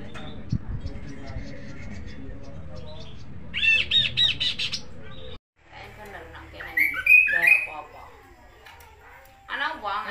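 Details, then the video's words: Kaso-kaso, also called Kidangan or Tepus glagah, singing actively for songbird training in Indonesia: low harmonic chattering notes, then bright high whistled phrases near four seconds and again after a brief silence, with a rising buzzy ending. "suara kicau Kaso-kaso/Kidangan/Tepus glagah gacor"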